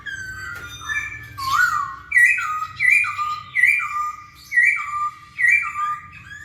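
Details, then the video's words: Lively masked laughingthrush, played to provoke silent birds to sing: a rhythmic series of clear two-part whistles, rising then sliding down, repeated roughly every 0.7 seconds. "KICAU BURUNG POKSAY HONGKONG GACOR"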